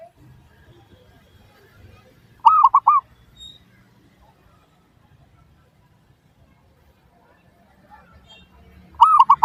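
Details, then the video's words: Lure song of the perkutut, or zebra dove, used to get other doves to answer: one phrase of three rounded, rolling coos, a long quiet pause of about six seconds, then another phrase cut off at the end. "PANCINGAN Burung Perkutut Suara Paling Ampuh!"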